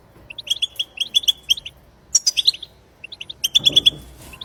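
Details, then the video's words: Wild European goldfinch singing in a recording meant to spur goldfinches into song: clean, high twittered notes in rapid runs, a sharp rising trill near the middle, and a brief low rustle near the end. "بتبتة خلوية جديدة لتحفيز الحسون على التغريد"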